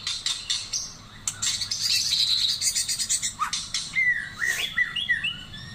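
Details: Taiwan white-rumped shama in full song, rapid rattling chirps giving way to clear whistled phrases that rise and fall, several swooping notes near the end over a quiet hum.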